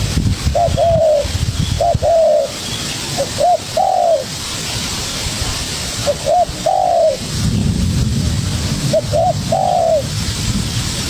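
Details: Spotted dove youngster challenging a decoy: quiet short notes lead into a louder falling coo, the phrase repeated four times at intervals of a few seconds, with low rumbling noise.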